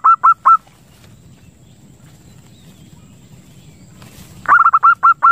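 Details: Lure recording of a zebra dove meant to draw in birds and stimulate breeding: a few clipped cooing notes, a long quiet gap with faint rustling, then a fresh quick run of hooked notes.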